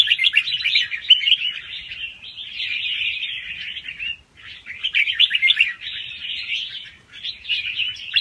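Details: Young wild red-whiskered bulbul giving a fast song with doubled notes, played to excite listening birds: dense bright warbling phrases of about two seconds, broken by brief pauses, with quick slurred notes throughout.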